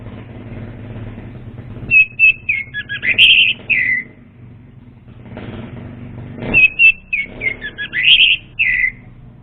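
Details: Two matching phrases of orange-headed thrush lure song for untrained birds. Each phrase is a quick string of whistled notes, swooping up and down, ending in a longer slurred whistle. Steady traffic-like rumble runs throughout.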